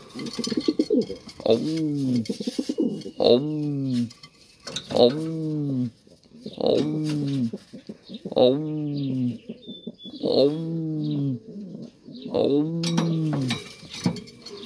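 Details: Racing pigeon cooing inside a small room: a steady run of deep, bowed, rolling coos, roughly one every two seconds, eight in all, with brief clicks and a faint high whistle between them.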